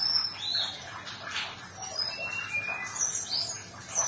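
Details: A Sumatran leafbird's song meant to help a stressed cage bird resume singing. Rapid high chirps and brief whistled slurs tumble together, interspersed with short squeaky notes, against steady hiss.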